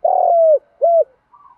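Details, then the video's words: Spotted dove decoy luring wild doves, heard at the close of its phrase: a long burry coo followed by one arched coo and a faint soft trailing note. "Tiếng chim cu mồi gáy gọi bổi nhanh về"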